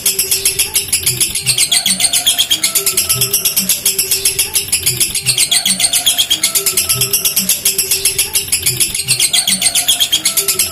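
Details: At a bird singing contest in Pemalang, Central Java, Indonesia, a lovebird pours out an unbroken, very high, rapid chattering trill. A steady rhythmic low thumping, like music, continues beneath it.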